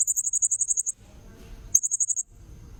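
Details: Blue-crowned hanging parrot lure call, a rapid string of thin, very high ticking notes for about a second, a short gap, then a second run of about six notes starting with a sharp accent.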